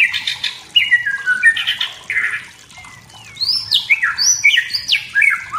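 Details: Wild white-rumped shama singing in forest to provoke rivals: scratchy notes and mid-pitched whistles, a brief lull, then a burst of high, sharply descending whistled slurs in rapid succession.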